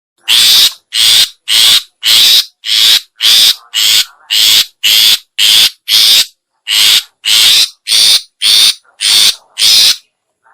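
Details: Long-tailed shrike lure call used to attract other shrikes: a steady series of harsh, rasping broadband notes, about seventeen, repeated roughly every 0.6 seconds with clean silent gaps.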